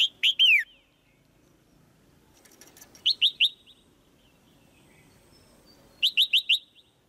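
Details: Female white-eye calling from a cage to get a male singing louder; series of loud chirp clusters, first a falling triplet, then rapid runs of three or four short chips every three seconds.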